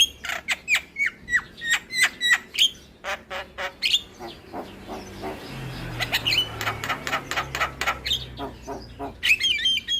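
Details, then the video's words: Javan myna song with full varied fill, used as a lure to get silent or lazy mynas singing: a run of harsh broadband rasps and clear whistled notes, then dense rapid chattering bursts and a final squeaky whistled flourish. "PAncingan Burung Jalak Bisu Jalak MAlas Bunyi Dengan Suara Jalak Kebo Full isian"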